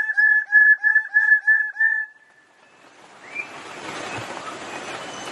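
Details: A wild bird-of-paradise gives a quick run of six loud, nasal, honking notes over two seconds, then falls silent as a rushing, wind-like hiss takes over.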